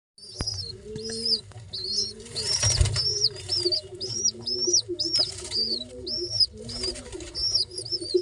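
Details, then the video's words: Baby pigeons begging while being fed: rapid series of thin, high squeaky whistles, each short and slightly arched, repeated about twice a second, mixed with lower nasal wheezing notes and some wing flutter. "how babys pigeons sounds | pigeon babys feeding"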